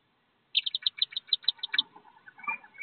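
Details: Wood duck ducklings, a brood of 13 jumping from a nest box about 15 feet up to join their mother, give a quick run of about ten thin high peeps, roughly eight a second, then softer lower chatter.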